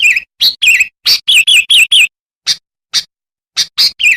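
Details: Lure recording of a sooty-headed bulbul in lively song to attract wild bulbuls: loud, bubbly warbled phrases with wavering notes, followed by single spaced chirps and a closing warble.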